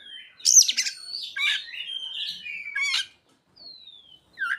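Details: Oriental magpie-robin delivering ciblek and sogon mimicry: harsh high chatter, a wavering whistle gliding downward, rattling buzzy notes, a brief silence, then a lone thin descending whistle and a last short chirp.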